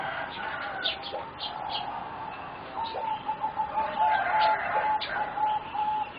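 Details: Four young competition-bred singing zebra doves, around 3.5 to 4 months old, give fast rippling trills of soft coos in two stretches, over repeated sharp chirps from other birds and light background noise.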